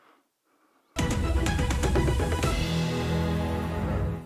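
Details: A second of near silence gives way to theme music with drums, sharp percussive hits and sustained low instrumental tones.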